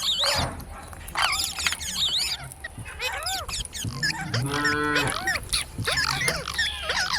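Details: Parrot mimicking human speech, mixing arched whistles and raspy chatter, then a long voiced, nasal syllable near the middle, followed by more bent whistled notes.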